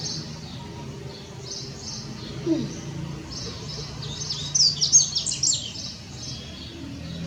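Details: Yellow-bellied seedeater (Sporophila nigricollis) from Brazil singing: high, thin chirps and buzzy twittered notes in quick series, softer at first, then a louder burst of sharp, rapid notes midway, over a low steady background hum.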